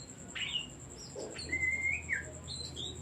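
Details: Oriental magpie-robin singing, played as a lure to rouse stressed, silent or lazy songbirds into singing: a few clear whistled phrases, one long level whistle and short rising slurs, over a faint steady high-pitched electronic tone and low hum.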